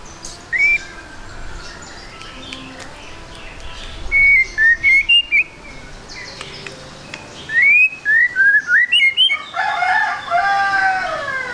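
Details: Song of a white-rumped shama, a lure for quick singing: isolated whistles, then quick series of upward-slurred whistled notes climbing in pitch, ending with a longer rich warbled phrase over steady background hiss.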